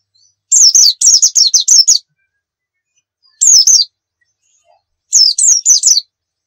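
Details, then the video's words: Pacitan dakun white-eye heard in an energetic 'nembak' tutor song: a rapid string of high down-slurred chirps, then a short single phrase, and finally another quick chattering run. "masteran pleci gacor nembak full isian"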